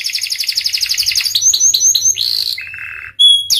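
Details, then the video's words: Pied canary song: a rapid pulsed trill, several sliding whistled sweeps, a lower buzzy note, and a sudden pure high whistle. "Kenari panda gacor"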